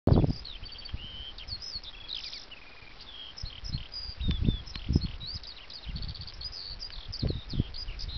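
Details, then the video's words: Eurasian skylark singing on Djouce, a continuous high warbling stream of quick chirps, trills and short whistled slurs with scarcely a pause, over low gusting wind rumble and a few thumps. "skylark singing on Djouce"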